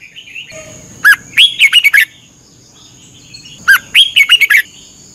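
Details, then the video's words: Caged Red-whiskered bulbul in Thailand, played as a morning training song to help birds learn. Two bright phrases of five or six quick whistled, warbling notes, about 2.6 seconds apart, over a steady high whine. "นกกรงหัวจุก ฝึกหงอนเป็นเวลา 30 นาทีทุกเช้าเพื่อช่วยให้นกเรียนรู้ที่จะพูดได้อย่างรว"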